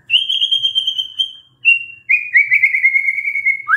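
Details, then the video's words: White-rumped shama, a stressed bird singing in response to a lure sound: long, clear, steady whistled tones, a high drawn-out note, a short one, then a lower wavering whistle ending in an upward flick. "SEKETIKA MURAI STRES SONTAK BERBUNYI DENGAR PANCINGAN INI"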